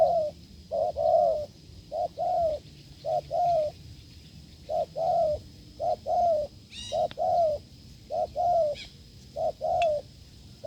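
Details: Wild spotted dove cooing vigorously at a decoy setup: rhythmic low hoots in close pairs, short note then longer coo, repeating roughly every second; a few brief high chirps from another bird cut in.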